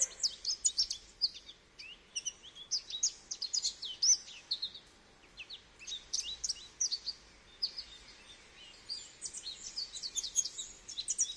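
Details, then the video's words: Goldfinch singing: a rapid, tinkling jumble of high twittering notes and short buzzy trills in bursts, with a brief pause around the middle before the chatter resumes. "Goldfinch Bird Sounds"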